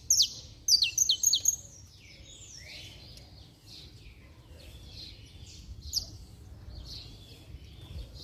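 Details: Saffron finch singing hard, used to stir up other saffron finches: a burst of rapid, high, sharp chirping notes in the first second and a half, then faint scattered high chips over low background rumble.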